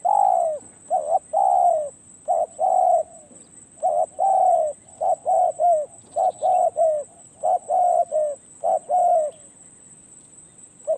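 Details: Spotted dove in Thailand calling in a series of low hooting coos, grouped in short bursts and repeated steadily for about eleven seconds, with a faint steady high whine behind.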